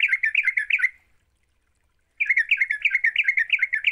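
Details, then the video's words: Sooty-headed bulbul singing 'gacor' style as a lure for other birds: two rapid, bubbling chatter runs of liquid notes, split by a gap of about one second. "Pancingan trucuk GACOR, sekali dengar trucukanmu gak bisa diam."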